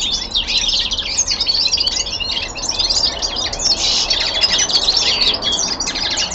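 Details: Common linnet, a young male kept at home, delivering winter descant: a continuous high warbling chatter of quick notes and short buzzy trills, with a brief buzzy stretch late on.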